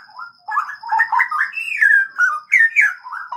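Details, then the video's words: Straw-headed bulbul singing in a breeding aviary: a rich run of liquid, warbled whistles that rise and fall in quick connected phrases, with a faint steady high electronic-like whine in the background. "Penangkaran Ternak Burung Cucak Rowo"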